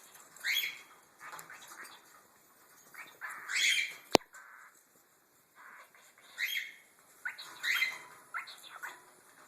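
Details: A pet cockatiel gives harsh, chattering bursts as a learned monkey impression between a person's encouraging words, while talking to siblings from another clutch; the parents chirp in the background.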